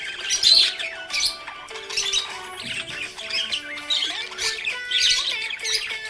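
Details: Budgerigar said to be happy, giving bursts of buzzy, twittering chatter and short squawks at a lively pace, over continuous background music.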